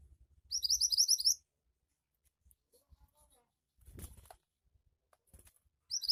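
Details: Javan white-eye 'gacor' song used to coax birds into song: a quick burst of shrill rising twitters, a pause with soft noises, then another high burst starting at the end.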